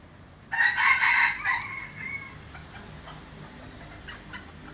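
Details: Red junglefowl from Aceh, a rooster used as a lure bird, giving a short hoarse crow of about one and a half seconds with harsh rasping tones, then a quieter tail. Faint background noise follows.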